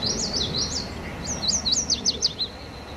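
Yellow Warbler singing a quick series of high, sweet whistled notes that slur up and down, delivered in two bursts, over a faint background hiss.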